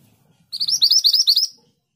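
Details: Scarlet minivet singing a long rolling tutor song: around nine shrill, upslurred whistles in quick succession, swelling slightly in loudness over about one second, with faint low rumbling before the burst.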